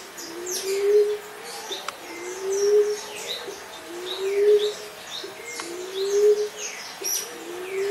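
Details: Common Emerald Dove giving low, soft moaning coos, each swelling slightly upward, repeated steadily about every 1.8 seconds, with varied chirps and short whistles from other birds higher above.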